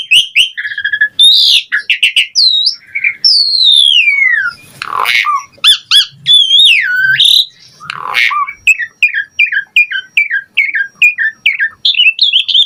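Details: Varied 'gacor' song of an Asian pied starling mixing chirps, long falling whistles, harsh rasping bursts and looping slurs, closing with a fast even series of short rising chips.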